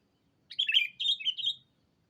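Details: Lure call of a sooty-headed bulbul, used to call a rival: one quick phrase of three bubbly, liquid warbled notes lasting about a second, each slurring up and down, against a quiet background.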